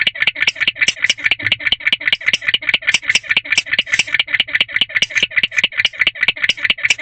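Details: Persistent chirping from a male barn owl inside a nest box at 1:22 am, 3 May 2023; dry, rasping chirps in a regular rapid train, around 146 a minute, loud and close.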